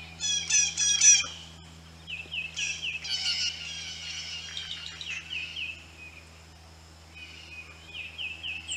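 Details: Blue jays coming in to a birdbath with a rapid run of rough, stacked notes at first, then softer descending slurred calls trailing off over a low background hum.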